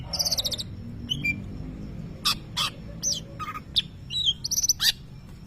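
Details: Greater green leafbird, a champion contest bird, mimicking a lovebird: a harsh buzzy chatter, then scattered sharp clicks and high squeaky chirps separated by short gaps, with low background hum.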